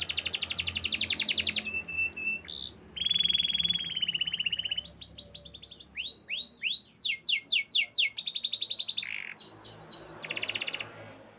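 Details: Long canary song passage mixing fast rattling tours, a sustained steady whistle, repeated swooping slurs and dense buzzy trills, each section changing every second or two.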